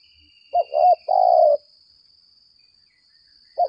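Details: A 'lambung kuk' decoy spotted dove in contest calling: one phrase of two quick coos and a long vibrating coo, a pause, then the next phrase starting, over a thin steady whine.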